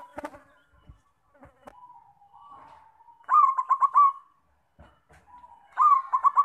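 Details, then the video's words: Zebra dove of the Bangkok perkutut type, its song played to lure other doves into singing; two bursts of fast stuttering coo notes, each trailing into a steady whistled tone, with scattered faint knocks and quiet gaps. "PANCINGAN BUNYI PERKUTUT BANGKOK"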